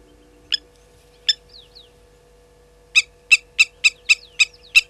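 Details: Blacksmith lapwings disturbed by a slender mongoose at Gowrie dam, Sabi Sand, South Africa: two isolated sharp metallic clinks with faint thin slurred notes, then a quick run of about seven loud tink calls.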